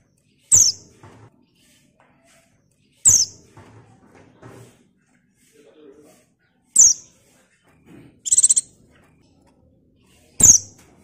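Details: Female buxtoni white-eye, its call used to stimulate untrained male white-eyes into singing: five thin, very high chirps spaced two to four seconds apart, one a fast stuttered series, with soft low rustles between.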